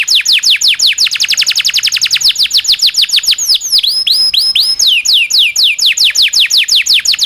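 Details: Local canary with a long, rolling song serving as tutor song for oriental magpie-robins, white-rumped shamas and other songbirds; a rapid series of high downslurred notes, a few upswept whistles midway, then more falling notes.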